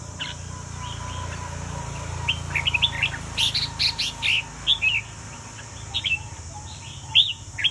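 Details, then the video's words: Vietnamese red-whiskered bulbul singing in a competition setting: short, bright whistled notes in quick phrases, rising and falling, with pauses between bursts, over a steady low hum and a faint high electronic tone. "Chào mào Việt Nam win"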